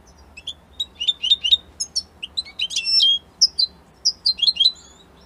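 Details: European goldfinch from Italy singing in short separated bursts of sharp chirps and tinkling twitters, with gaps between phrases over a faint low hum.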